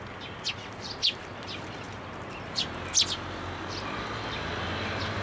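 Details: Young sparrows gathering in a plum tree at a Tenmangu shrine to be fed, recorded 26 May 2024; short high chirps come singly and in pairs, spaced about a second apart, over steady low background hum.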